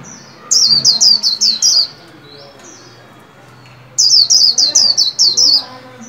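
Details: White-eye kept in a cage and trained to sing, new year 2021: two loud runs of about six sharp, high descending whistles, roughly three seconds apart, with a faint low hum behind.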